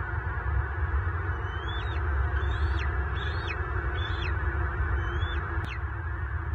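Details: Adult male bald eagle calling during a fight with an intruder adult eagle near his nest in Southwest Florida, March 24, 2023: about six thin, high whistled notes, each rising then dropping, over a steady low rumble.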